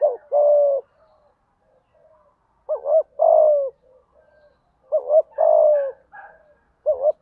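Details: Spotted dove cooing in the local 'thúc gù' style with a 'giọng thổ' voice: low, mellow cooing phrases of a few notes, with a stuttering start and a long drawn coo, repeated about every two seconds with quiet gaps between them.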